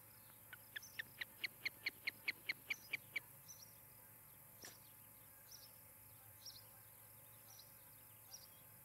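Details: Osprey at a nest on a camera in Charlo, Montana, where a pair is building a new nest, evening of July 17, 2018: a rapid run of about a dozen sharp whistled chirps, roughly four per second, then silence, with a faint high insect trill behind.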